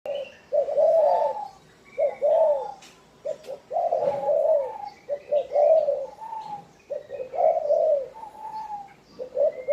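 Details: Spotted dove cooing, a low, hooting phrase of several notes repeated over and over with brief pauses between bursts; faint higher chirps of other birds in the background.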